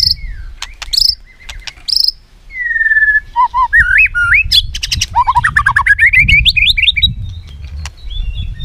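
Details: White-rumped shama singing as a training model for other shamas: thin high notes, a long level whistle, then fast varied trills and rolling chatter with low background rumble throughout.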